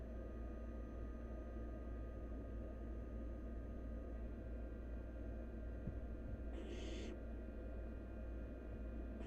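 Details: One short, harsh hissing screech from a wild barn owl nestling as it swallows half a rabbit, coming after several seconds of quiet, with a low hum and a faint tap just before it.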